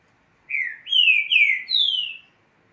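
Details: Green-winged saltator, kept in a cage, singing a short phrase of four clear whistled notes: a falling slur, then two sliding notes, ending on a higher drawn-out whistle, all loud and clean over a quiet background.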